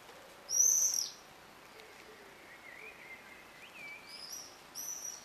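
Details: Common swift at a colony nesting in a terracotta pot under a terrace roof, Leuven, 14 June 2015, giving a loud, shrill, buzzy half-second scream, then two shorter high screams; a faint thin whistle runs underneath.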